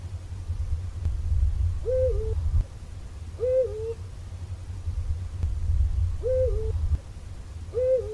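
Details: Eurasian eagle-owl gives short, hollow hoots, each dipping slightly at the end, repeated roughly every two seconds over a steady low rumble.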